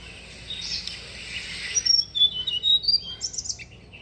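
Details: Tickell's blue flycatcher at a bird bath in India: high thin whistled notes and sharp chirps in an irregular sequence, over a soft rushing background.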